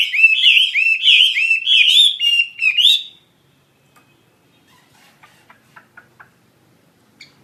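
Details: Singing actively, a Chinese hwamei gives three seconds of loud, bubbling, looping whistled phrases that stop abruptly, followed by near silence with a few faint ticking clicks.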